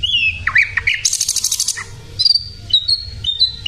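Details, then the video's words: A sikatan londo flycatcher singing energetically: slurred whistles lead into a harsh, rapidly pulsed buzzy burst, followed by a few thin, clear high whistles, each held briefly. "sikatan Londo gacor"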